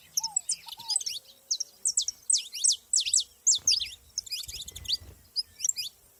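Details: Saffron finches in nature sing a steady run of loud, sharp, falling high chirps, several a second, with overlapping twitters. Lower arched whistles come early, and faint rustling sounds appear midway.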